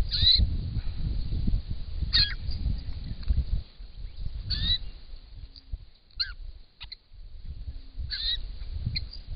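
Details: Wild white-winged choughs in Australia, a group arriving to drink at a pond and displaying, captured by camera trap: short, piping, descending calls repeated every couple of seconds over low rumbling and flapping noise.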